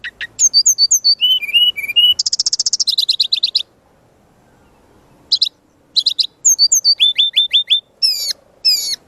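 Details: Brown-chested jungle flycatcher master song full of varied phrases: rapid high notes, a long buzzy rattling trill, a quiet gap, then repeated quick falling whistles and sharp high chips.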